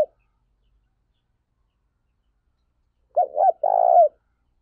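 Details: Highly spirited lure spotted dove, kept to train and excite other doves, 2021. The end of one note is heard first, then after three seconds of quiet a single phrase of two quick hooked notes and a long burred coo.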